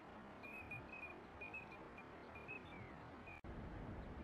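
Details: Eurasian teal on the Kamo River in late winter, near spring, giving short, high, flute-like whistles, repeated in quick bursts for about three seconds, over a steady background rush of water and traffic.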